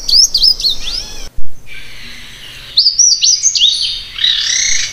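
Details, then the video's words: Slate-blue seedeater, called negrinho mexicano, singing: high, thin phrases of quick rising and falling notes, two bursts separated by a brief loud knock and a pause, with faint background hiss. "O canto do Negrinho mexicano ( Amaurospiza concolor )"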